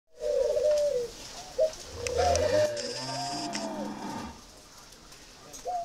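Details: Spotted dove of the 'mỏ đinh' type from a dove-breeding garden in Ba Vì, northern Vietnam: low, husky cooing phrases at the start, then fainter drawn-out coos amid some room noise and rustling.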